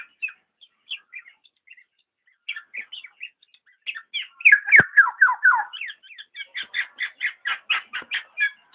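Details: Black-naped oriole, known locally as kepodang, giving a rapid run of short, clipped whistled notes that sweep downward. Sparse and quiet at first, the notes grow louder and denser in the second half, about four per second, with one sharp click midway.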